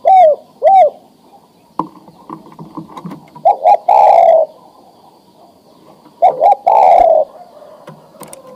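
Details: Breeding-ready male spotted dove coos to attract a female: paired short hooked notes, then phrases of two quick coos and a long sliding coo, repeated about every three seconds, with faint clattering between.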